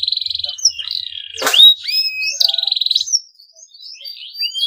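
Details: Male canary in breeding condition, singing so other canaries will answer: a buzzy trill, a sharp click-like burst, rising whistles, then a second rapid trill fading to soft upslurs.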